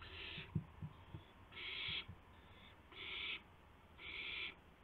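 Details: Owl arriving with a gopher at 2:51 AM on 2 April 2016. Four drawn-out rasping hisses spaced about a second apart, with knocking and shuffling thumps audible early on.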